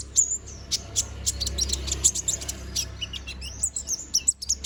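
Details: Young, balding konin bird still growing its feathers, singing vigorously for song training: rapid high thin chirps and short whistled slurs in irregular bursts over a low background hum.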